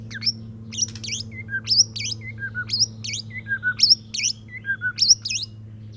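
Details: Courting male white-rumped shama repeating one phrase about every second: high sharp whistled notes followed by lower downslurred whistles, loud and regular against a constant low hum.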